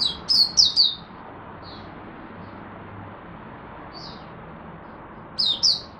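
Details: Caged Oriental white-eye, Singapore, on a humid, warm, rainy, overcast day in March 2023: two short bursts of high, thin, rapidly slurred chirps, one at the start and one at the end, separated by quiet background hiss.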